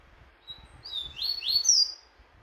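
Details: Double-collared seedeater being trained for a tournament gives a short, loud phrase of high descending whistled slurs that builds in volume and ends abruptly.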